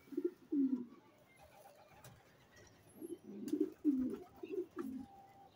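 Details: Checker racing pigeon giving a series of short, low, burbling coo notes, first a pair and then a quick run of five after a pause, with light background clicks.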